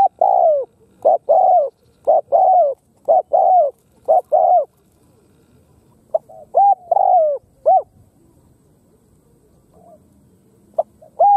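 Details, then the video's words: Khmer spotted dove cooing in quick succession: five loud phrases of short notes and drawn-out falling coos in the first half, then softer, broken phrases with pauses between them. "Khmer Spotted Dove Sound លលកខ្មែរសម្លេងល្អណាស់"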